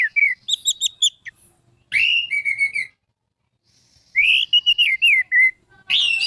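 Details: Orange-headed thrush song meant to stimulate silent birds into singing: clear whistled phrases mixing sliding notes and quick trills, given in bursts with a silent gap of about a second.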